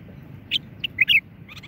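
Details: Moroccan common bulbul giving a short run of sharp whistled notes: two separated pips, then a quick, fuller warbled pair, and a soft trailing note, heard over a steady low rumble.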